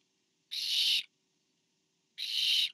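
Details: Barn owl at the moment a parent brings food to owlet number four, 24 September 2015: two rasping, hiss-like screeches of about half a second each, separated by a quiet gap of over a second.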